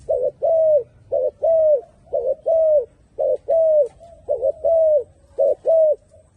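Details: Turtle dove giving paired coos, each a brief note followed by a drawn-out descending one, repeated roughly every second, clear over faint low hum.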